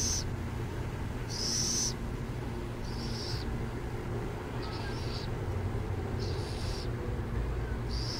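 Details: Burrowing owls recorded near San Jose repeat a rough, high hissing rasp about six times, each burst brief and fairly regular, against continuous low-pitched vehicle rumble.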